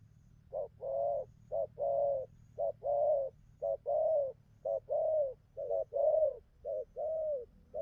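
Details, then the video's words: Wild-caught spotted dove in good voice, delivering a rhythmic run of low mellow coos, short note then longer note, paired and repeated about once a second, with a steady low hum beneath. "Thổ tơ bài hay gù tốt"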